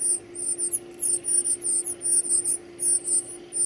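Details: Baby birds calling nearly nonstop while fed, a dense chatter of very high, sharp squeals pulsing a little over once a second, with a steady low tone behind.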